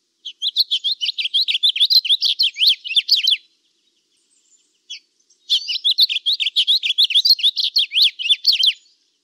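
A budgerigar's rapid, chattering warble of scratchy chirps and squeaky notes, in two bursts.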